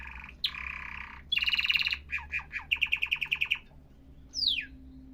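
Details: A canary delivers a varied song: a buzzy held note, a dense rattling trill, a series of quick dropping chirps, a bright evenly spaced trill, then one falling whistled slur. Faint low hum behind.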